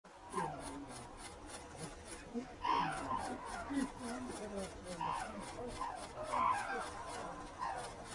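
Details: Red-crowned cranes taking off from Ito Sanctuary in Tsurui, Hokkaido, Japan, giving scattered loud trumpeting calls at mid pitch, with rapid steady clicking throughout and soft rustling.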